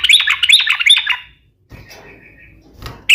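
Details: Sooty-headed bulbul, a strong singer used as a lure and training bird: a second-long tumble of bright, chattering notes, then quiet background noise with a faint thin note and a sharp sound at the end.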